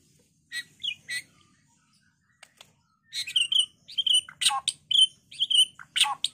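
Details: White-rumped shama song used to challenge other birds to fight and sing: a few sharp clicks and chips, then a rapid stream of varied short whistles and harsh downward notes.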